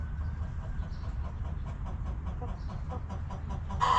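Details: Backyard chickens in a cozy coop: soft regular clucking pulses through most of the recording beneath a low hum, ending in a sudden loud squawking cluck at the very end.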